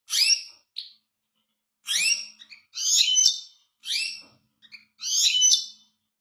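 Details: European goldfinch gives a run of quick, bright, twittering phrases mixing chirps, trills and a few scratchy notes, about five bursts in six seconds in a quiet setting.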